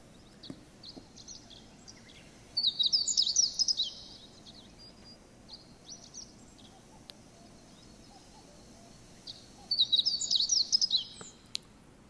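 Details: Meadow Bunting song, a bird of wooded thickets near towns: two quick, high, jingling phrases of twittered notes about seven seconds apart, over faint background hiss.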